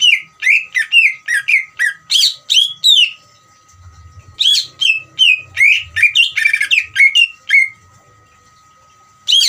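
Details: Greater green leafbird trilling in ngeriwik style to encourage other birds to sing: fast chains of loud, sweeping chirps and squeaky notes, a pause near the middle with low rumbling, then a busier, buzzier run; steady faint hum behind.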